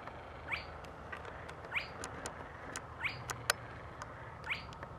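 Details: A spotted crake near Rijssen, Netherlands, on 7 July 2016 gives a sharp, whiplash-like rising "hwitt" about every 1.25 seconds over a steady low rumble with a few faint clicks.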